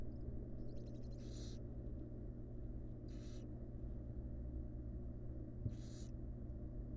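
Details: Wild barn owl nest box with the mother resting near her young; a few quiet ticking notes lead into three rough hissing bursts, spaced widely over a low steady hum.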